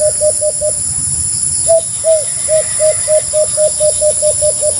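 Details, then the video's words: Rapid series of soft, hollow hoots from a white-eared brown dove. Four quick notes, a pause of about a second, then a longer even run of roughly thirteen notes at three per second, with a steady high hiss behind. "Huni ni Tanda ( white-eard brown-dove sound effect"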